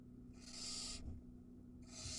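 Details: Barn owl nestling on a nest camera at Ram-on, Israel, during feeding when it swallows a mouse whole: harsh, broadband hissing bursts, one long rasp and a second starting near the end, over a low steady hum.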